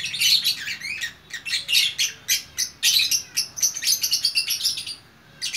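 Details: Bukittinggi, West Sumatra: a gacor single fighter lovebird delivers quick, sharp chirps and squeaky twitters about four per second, some notes sliding, ending in a brief pause.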